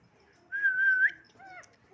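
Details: Whistle from a pet parakeet kept at home: one long, steady, slightly wavering whistled note that lifts at the end, followed by a softer falling whistle, while its owner calls to it.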